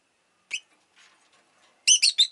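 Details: Rosy-faced lovebird at home: one short sharp chirp, soft rustling, then three loud, harsh, rapid screechy notes in quick succession.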